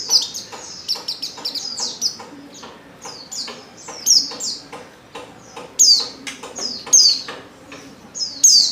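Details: Female white-eye in heat calling for a male, giving a rapid, uneven run of high, thin, downward-sliding chirps, some louder and sharper, over almost nine seconds.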